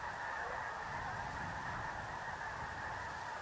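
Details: A dense, continuous chorus of nasal honking and yelping from a huge flock of migrating snow geese resting at Freezeout Lake, a wetland refuge near Choteau, Montana, the calls overlapping into a steady roar without pause.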